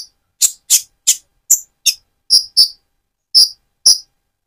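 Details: Van Hasselt's sunbird in spotted, moulting plumage, singing vigorously to provoke and stir another sunbird: sharp, very high clicking chips spaced about half a second apart, some doubled, with no other sounds.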